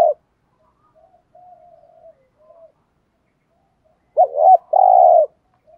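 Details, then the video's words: Decoy spotted dove calling in the thúc gù style, used to lure wild birds. Soft faint coos first, then a loud wavering coo and a sustained deep coo near the end. "chim cu mồi bài bản THÚC GÙ bài bản nhất hiện nay, cu cườm bài bản dùng kích bổi hiệu quả. cu gáy"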